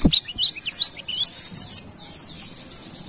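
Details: Brown-throated sunbird from Kalimantan, singing actively, used as a lure for other birds. A quick run of short, high, sharp chirps and rising squeaks, some slurred upward, spaced a fraction of a second apart, with faint softer twitters after.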